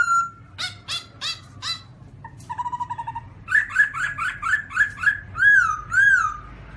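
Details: Black-throated laughingthrush: a whistle, harsh rasping notes, a fast trill, then a rhythmic run of rising-falling whistled notes ending in long wavering slurs.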